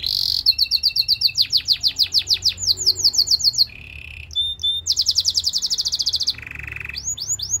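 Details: Belgian singing canary used for training other canaries: varied tours of quick whistled notes, a low buzzy churr, a bright rapid trill, then a further buzzy section and sweeping whistles.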